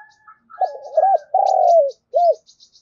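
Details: Cooing spotted dove used as a decoy to attract others: one deep phrase of stuttering notes, a long rolling coo and a short final hook, with faint high chirps in the background.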